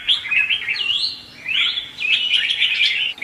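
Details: Red-whiskered bulbul in 'hót ché' contest song, a decoy for trapping: rising slurred whistles, a short break, then a loud run of bright rolling chatter.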